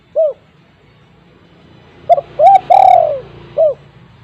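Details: Strong-voiced spotted dove calling as a decoy for wild doves: a short closing coo, a pause over faint low rumble, then a full phrase of clipped note, rising coo, long falling coo and final short coo.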